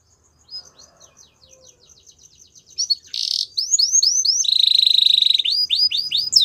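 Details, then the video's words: Belgian canary song opening with soft, fast repeated chips, then bursting into loud downward-slurred notes, a rich rolling trill, and more swooping phrases. "Canary Bird Singing | Belgian Canary"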